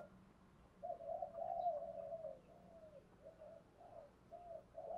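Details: Decoy spotted dove cooing to attract wild doves; a series of mellow low coos, one long wavering phrase followed by shorter notes, over a hissy background with a low hum.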